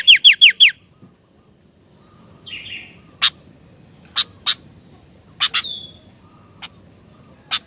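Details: An actively singing sooty-headed bulbul opens with four fast, falling whistled notes, followed by a short buzzy phrase and scattered sharp, clicky notes spaced through the rest of the recording.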